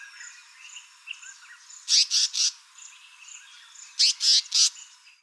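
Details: Loud, raspy contact calls of an African paradise flycatcher, delivered as two bursts of three harsh notes about two seconds apart, with soft whistled notes from other birds between.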